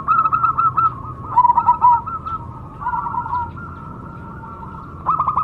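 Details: Zebra dove, perkutut cemani, giving short phrases of bright clipped coos separated by quieter stretches of sustained tone, ending in a fresh burst of quick notes.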